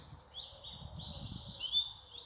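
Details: Songbirds singing in spring in England: high, thin whistled notes and long drawn-out tones overlap, with one sharp rising whistle near the end, over a low rumbling background.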